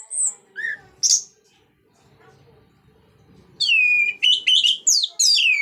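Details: Orange-headed thrush singing loudly in ngeplong style to encourage other thrushes to sing. A few scattered high whistles lead into a loud varied sequence of swooping, slurred whistled notes.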